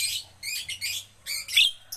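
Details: Caged Javan myna being trained to sing often: rasping, buzzy phrases repeated in quick bursts, with a pause in the middle, then a louder grating squeal near the end and a brief final note.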